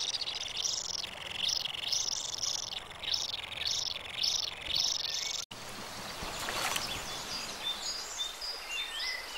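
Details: Common kingfisher at its nest, a tunnel in a stream bank, while feeding its young: shrill, high piping whistles, about two a second, over steady rushing background noise; after a break, only faint scattered chirps remain.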